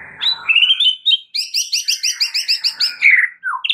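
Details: Varied white-rumped shama song from a training recording for stressed birds: a rising whistle opens it, then a rapid, even series of about a dozen bright looping notes, ending in a downslurred whistle.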